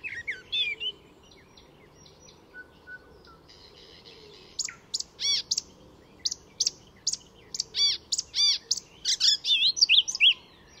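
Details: Icterine warbler singing at Fysingen reserve north of Stockholm, Sweden, a mimic weaving other species' calls into its song: varied rapid phrases of sharp high chirps, buzzy notes and repeated whistled elements, with a brief quiet gap before an energetic burst.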